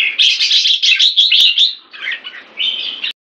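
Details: Caged Red-whiskered bulbul, or jambul, kept in Singapore during its molt, sings a rapid run of bright chattering warbled notes. After a brief dip it gives a second, softer phrase.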